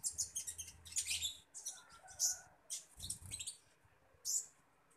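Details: Common iora being fed, uttering rapid bursts of high, scratchy chirps, dense at the start, then spaced sharp notes with pauses between.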